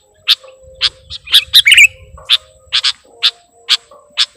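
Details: Bird-luring sound of the sooty-headed bulbul: spaced harsh chip notes, a short cluster of squeaky twittering near the middle, then evenly spaced raspy chips over a low hum.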